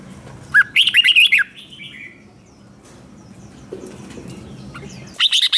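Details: Red-whiskered bulbul in competition singing: one short, fast warbled phrase, a long lull with low background rumble, then the start of another burst.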